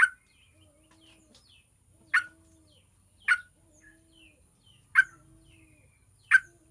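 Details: Yellow-vented bulbul song used to coax other bulbuls into singing: five abrupt, burry notes repeated roughly every second and a half, with soft low tones and faint twittering between them.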